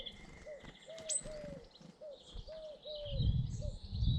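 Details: British garden birds: short, soft cooing notes repeat about once a second under high twittering and a sharp whistle, then low rumbling noise takes over near the end.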